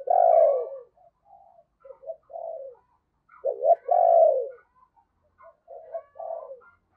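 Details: Morning calling by a decoy spotted dove to attract wild doves: a strong, low, drawn-out coo opens, then softer short notes and another full coo phrase, with faint higher chirps from a second bird.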